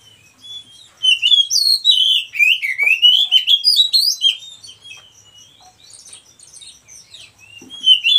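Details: Oriental magpie-robin, white-breasted type, breeding-farm bird, offered as master song for stressed, silent kacer. A long energetic phrase of rapid whistles, trills and sharp slurs fades into softer chatter, then resumes.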